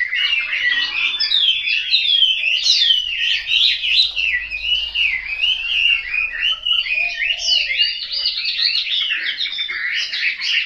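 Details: A caged Chinese hwamei at a Hanoi home in Vietnam sings at length, a steady stream of fluting whistles and rolling warbles, with phrases swooping up and down over roughly ten seconds.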